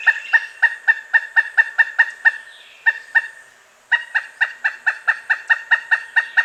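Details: Pileated woodpecker calling in rapid, loud kuk-kuk-kuk notes with rich harmonics, two bursts of steady repetition broken by a short gap with a couple of isolated notes.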